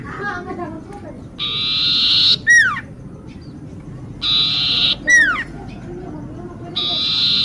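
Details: Common iora singing, used as a lure: a buzzy, sustained, high note followed each time by a quick, steeply falling whistle, the pair repeated about three times over a low, rumbling background.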